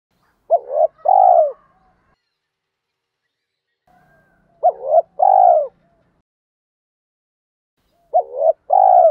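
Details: Native-style spotted dove calling for rousing decoy birds, mixing male and female voices: three two-part coos, each a short hooked note then a longer full one, repeated roughly every four seconds against silence.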